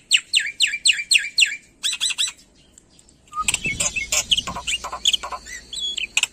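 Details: Black-winged myna, an Indonesian endemic that mimics other birds, in lively full-fill song: quick downslurred whistles, a buzzy chatter, a brief gap, then a varied jumble of harsh squawks, chirps and whistled fragments.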